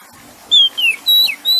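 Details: Oriental magpie-robin singing over faint trickling water: a long pure whistle, a short falling slur, then another drawn-out steady whistle and a sharp downward note.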